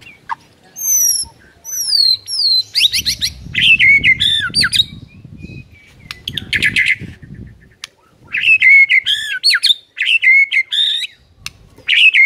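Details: White-rumped shama, a training song for silent birds, singing a loud varied medley: clear whistled slurs, harsh buzzy bursts and sharp rising notes in bouts separated by short pauses.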